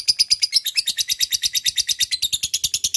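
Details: Ngekek long chatter of a lovebird, a lure call aimed at a rival: a quick run of shrill, rattling high notes repeated about three times per second.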